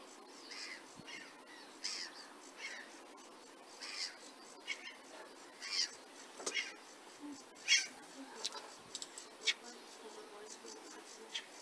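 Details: Sedge warbler (Acrocephalus schoenobaenus) singing a hurried, scratchy, jumbled chatter of harsh buzzes, clicks and short whistled notes over faint steady hiss, at Burton Mere Wetlands (IMF Hide), 8 June 2014.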